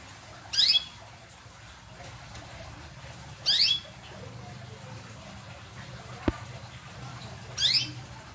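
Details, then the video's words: Canary singing in the cuit cuit style: three brief, sharp, high chirps spaced about three seconds apart over a steady low hum, with a single click near the middle. "Song cuit cuit canary."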